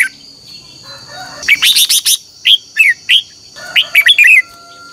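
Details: Red-whiskered bulbul morning singing for training, a rapid burst of warbled notes followed by separate clear whistled slurs and a closing rollicking phrase, against a faint high hum.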